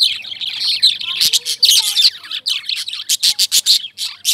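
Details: Lovebirds chirping loudly: grating high chatter, then a run of short, evenly spaced sharp squeaks near the end.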